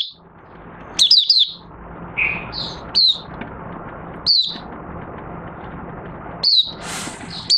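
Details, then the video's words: Oriental white-eye, a cage bird recorded 25 August 2022 after three months of open-cloth night training, giving scattered single high chips and a brief twittered burst, spaced a second or more apart over a steady low hum. "Mata Puteh Raja Buka Sing"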